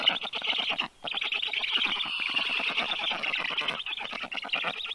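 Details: Rescued black stork chicks, 30 days old, at a university veterinary clinic in Tartu, Estonia, during feeding on 21 June 2022 at 3:35 p.m.; steady rapid raspy chattering, briefly pausing near the first second.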